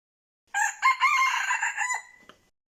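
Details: Decoy red junglefowl crowing to lure birds for trapping. A clipped first syllable leads into a sustained rough, ringing crow that fades out, followed by a faint click. Otherwise quiet.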